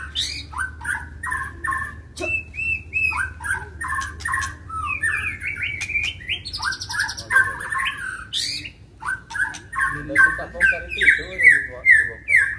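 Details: Fighting white-rumped shama, stirred up to sing: a dense, varied run of short whistled and chattering phrases, some buzzy high bursts midway, then quick rising whistles repeated about twice a second toward the end.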